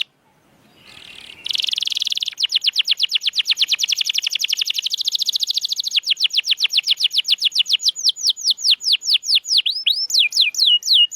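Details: Canary song used as a training recording to prompt silent canaries to sing: after a faint opening, a fast tour of rapid, high, downward-slurred notes begins, gradually slowing into wider, sweeping whistled slurs.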